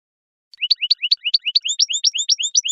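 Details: European goldfinch singing naturally on a lure recording: a rapid series of rising, liquid, slightly buzzy notes, each paired with a higher chirp, flowing quickly and evenly without pauses.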